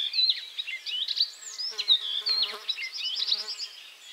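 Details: Icterine warbler moving to a new perch, catching a caterpillar, then resuming song: a fast, unbroken medley of squeaky whistles, chirps and harsh notes, with a low buzzing drone through the middle.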